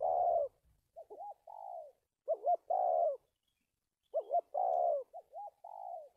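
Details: Spotted dove used as a decoy for trapping, giving a halting series of coos: a short hiccuping double note, then a longer mellow descending coo, the phrase repeated every two seconds or so with silence between.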